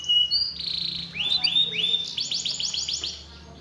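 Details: Canary song used to rouse a lazy canary into song: steady whistled tones, a few rising sweeps, then a rapid run of sharp descending notes, over a low background hum.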